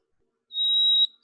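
White-throated Sparrow song opening: one long, clear, steady whistled note, then the start of a higher whistle. Nothing else is heard.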